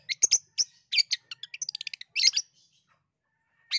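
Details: Long-tailed shrike song for stirring a silent bird to sing: loud harsh bursts, then a rapid run of short evenly spaced chips and a final rasping burst before quiet.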